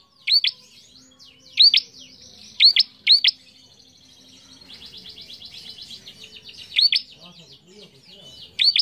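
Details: Bar-winged prinia singing to train young cage birds: clusters of loud paired rising chirps, broken midway by a long buzzy rattling trill from another bird, then more chips.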